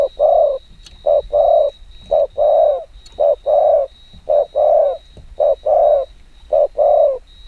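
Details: Spotted dove giving a very fast 'kích bổi' coo. Low, mellow hoots come in paired groups, a short note then a longer one, repeated steadily about every second. A steady faint high tone hums behind.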